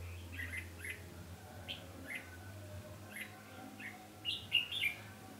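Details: Red-whiskered bulbul kept as a trapping decoy, 20 November 2015, singing to attract wild rivals; repeated short chirps every second or so, ending in a louder twittering, warbled phrase, over a faint continuous low hum.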